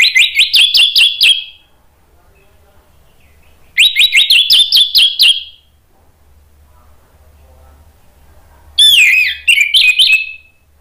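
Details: Orange-headed thrush lure song (pancingan) for stalled thrushes: three bursts of rapid, stuttering whistled notes, each burst of roughly eight quick notes lasting over a second, separated by several seconds of near silence.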